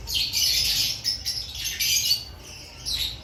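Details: Lovebirds in an aviary ahead of the breeding season, giving dense, shrill, squawky chattering in overlapping bursts, several birds calling together with brief pauses near the middle and end.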